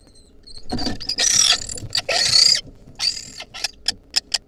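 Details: Wild lesser kestrel nestlings in a nest being fed a mouse by their mother, giving harsh, rasping begging screeches in drawn-out bursts, then shorter sharp squeals and clicks as feeding goes on.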